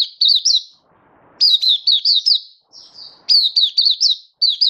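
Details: Oriental white-eye in song display, 24 February 2023: sharp high chirps that sweep downward, given in rapid groups separated by brief pauses and a soft, thin held note.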